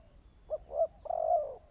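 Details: Newly trained spotted dove decoy for trap-pen luring, one cooing phrase: two short soft notes followed by a longer, wavering coo lasting about half a second.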